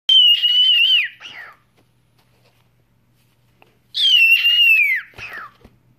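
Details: Pet cockatiel whistling indoors: two loud, clear whistles, each a long steady high note that slides downward at the end, followed by a short falling chirp, with a pause of about three seconds between them.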